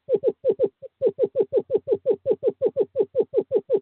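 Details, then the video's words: On 2/11/2023, in courting season, a male screech owl calls a female to owl box 5 with a rapid string of about twenty short, downward-bending hoots, one fainter note near the start, in a quiet background. "Male screech owl calls female to owl box 5"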